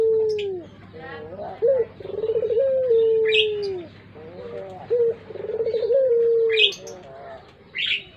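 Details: Collared dove of the puter pelung type, used as a lure bird, repeating low throbbing coos ending in long descending drawls, with short high chirps of small birds in between.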